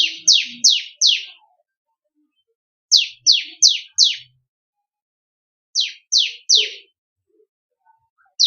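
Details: Ciblek kristal, the bar-winged prinia, singing a variation offered as a master song for songbird training: three bursts of three or four bright, steeply falling chirps separated by pauses of about two seconds.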